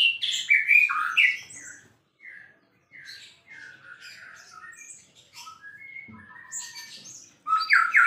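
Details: White-rumped shama singing actively as a champion bird: loud varied whistles and squeaky notes, a run of softer repeated mid-pitched whistles, then a sudden loud burst of rich rising notes.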